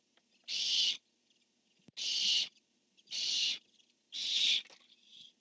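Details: Male barn owl calling and female answering, dated 10-1-15: four loud, rasping screeches in quick succession about a second apart, each a broad noisy hiss lasting under half a second.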